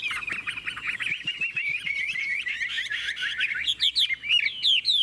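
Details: Caged Chinese hwamei, praised for a fine, fast and even voice and good in song contests, sings a rapid stream of high twittering whistles ending in looping, ringing repeated phrases.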